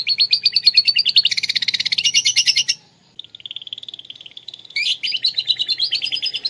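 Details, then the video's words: Indonesian canary from Klaten rendering lovebird-imitation song: a long rapid pulsed trill growing harsher and broader, a brief gap, a thin fast rattle, then loud buzzy repeated bursts. "kenari isian love bird"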